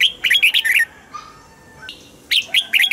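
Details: Caged-bird red-whiskered bulbul song, played to make birds lively: dense quick warbling phrases at the start, a short quiet gap with faint background tones, then another burst of bright, bubbly whistled notes.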